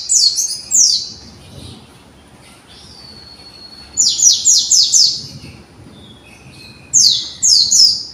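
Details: Young conservation white-eye practising its song: short clusters of high, sharply falling whistled notes, a thin steady tone in between, then more quick descending slurs.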